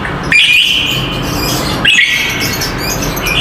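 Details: Lovebird giving a long ngekek trill used as a master recording for training other lovebirds: a high, buzzy, rapid trill held steady, restarting after a break, over constant background hiss.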